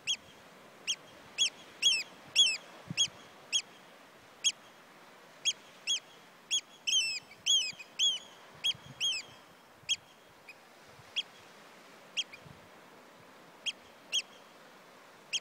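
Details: Male oystercatcher in the Outer Hebrides, Scotland, giving loud, piercing high 'kleep' notes, singly and in quick rising bursts, about two a second, against a faint low background rumble.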